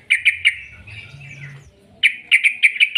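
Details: Sooty-headed bulbul song in the long 'ropel' style, used as a lure to make other bulbuls sing: two short bursts of rapid bright chattering notes separated by a quiet pause, with faint low rumbling between.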